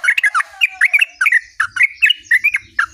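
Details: Sooty-headed bulbul singing continuously in rolling bursts: clear, short whistled and chirped notes in quick clusters of two to four, repeated about every half second over three seconds, with a faint low rumble beneath.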